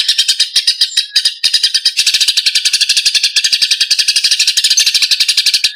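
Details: Eurasian tree sparrow fighting, captured as birdsong training material: separate sharp chirps at first, then from about two seconds a denser, faster run of scratchy chatter.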